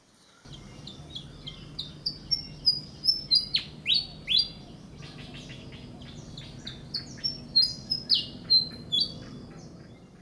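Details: A Malaysian Pied Fantail in a garden near Hua Hin, western Thailand, sings two bright phrases of quick, squeaky, rising-and-falling notes, about a dozen each, over a steady low background rumble.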